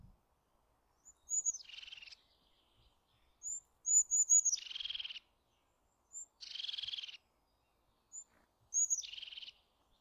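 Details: Eurasian jay with four grating, pulsed screeches spread over ten seconds, most introduced by short thin high notes, in a quiet background.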